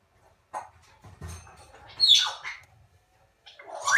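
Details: Salmon-crested cockatoo chicks, hand-raised, somewhere between hatching and one month old: short rasping squeals and a loud falling screech, with handling noises in a room.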